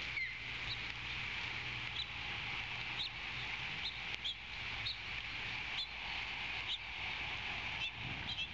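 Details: A female osprey calls loudly at her nest above a coastal Georgia salt marsh on 14 February 2020, just before the male delivers a fish: short, high whistled chirps about once a second over steady background hiss.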